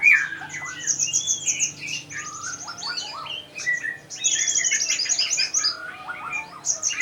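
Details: Kolibri ninja, a sunbird, singing vigorously with a full repertoire: busy run of high twittering notes, short whistled slurs and buzzy trills, with brief pauses between bursts.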